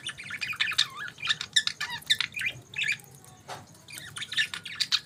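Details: Budgies chattering in the morning, steady quick warble of clicks, trills and bent whistled notes, with a brief pause midway.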